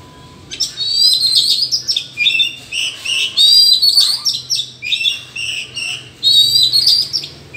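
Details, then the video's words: Forest Oriental magpie-robin in a singing contest with rivals: rich, high, warbled phrases of clear whistles and trills, repeated in energetic bursts about a second long. "chòe than hót đấu giọng rừng hay và căng lủa đến vậy"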